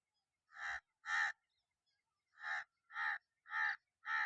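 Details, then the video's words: Crow giving harsh, hoarse caws: a pair of calls, a pause of about a second, then four more in a steady run, over a quiet background. "Relax to the Soothing Sounds of Crows"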